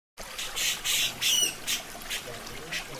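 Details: Grey-cheeked bulbul (cucak jenggot) heard in a masteran training recording: loud harsh chattering bursts, about three in quick succession, then softer scattered notes, with running water in the background.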